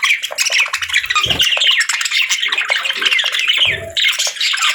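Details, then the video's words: Pet budgerigars give soft, relaxing chirping: a dense, unbroken chatter of quick squeaky chirps and warbles, loud and steady throughout, with a couple of brief low thumps around the first and fourth seconds. "Relaxing & Soothing Budgie Sounds"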